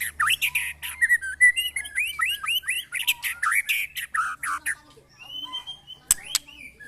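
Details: White-rumped shama (murai batu) in a mental test with neighbours' birds. Dense, varied song of quick whistled slurs and chattering notes with no pause, then a lone sharp click and a rising whistle near the end.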